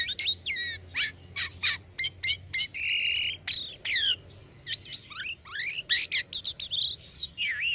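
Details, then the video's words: Caged Black-winged myna kept as a singing bird in Indonesia, singing busily: a rapid medley of loud whistled notes, sharp chirps and rising and falling slurred phrases, with brief harsh bursts between short pauses. "JALAK KAPAS IDAMAN....SELALU MENYENANGKAN TUANNYA...GACORRR TERUSS LOSS"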